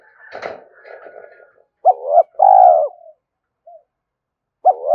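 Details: Spotted dove used to stir a wild dove into cooing: after a brief rough scratchy sound, a clear hollow coo phrase, a short double note then a longer falling coo, followed by a tiny note and the start of another phrase.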